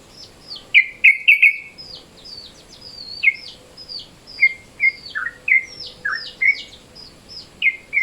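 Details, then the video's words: Sooty-headed bulbul (trucukan) calling in its midday mode, used as a lure. Scattered bubbly, slurred chirps and short downward notes over a faint background hiss, with a steady low hum. "SUARA TRUCUKAN MODE SIANG, BISA NIH BUAT PANCINGAN"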